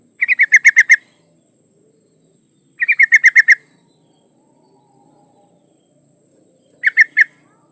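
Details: Female yellow-vented bulbul in breeding condition calling to attract a male: three bursts of six to seven quick, bright chattering notes, each burst under a second, separated by roughly two to three seconds of near silence.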